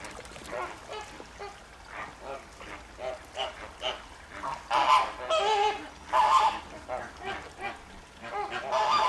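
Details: A flock of flamingos in Wales, at Llanelli Wetland Centre in August 2021, keeps up steady nasal honking, with a few louder, drawn-out calls standing out above the group.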